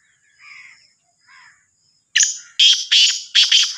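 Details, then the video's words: Sindhi kala teetar (black francolin), Sahiwal teetar: two faint soft notes, then a loud grating phrase of four harsh, buzzy notes in quick rhythmic succession. "Sindhi Kala Teetar ki Awaz"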